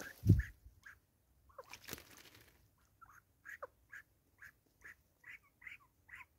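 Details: Grey go-away-birds bonding, South Africa, 2024: a steady run of short nasal quacking notes, roughly two or three per second, after a loud low thump and a few scattered opening calls.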